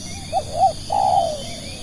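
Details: Spotted dove serving as a decoy for luring wild doves, delivering a single three-note coo phrase, two quick low notes followed by a long mellow trailing croo, against constant faint high-pitched background tones.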